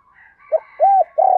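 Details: Spotted dove lure call for attracting doves, a short note and a rounded coo, then a longer coo cut off, with faint higher chirps behind.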